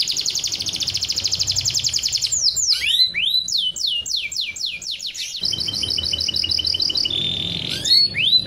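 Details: Canary singing to encourage pairing, mating and egg-laying: a rapid, even high trill, then a run of loud descending whistled swoops, then another fast rattling trill ending in rising sweeps, over faint low background hum.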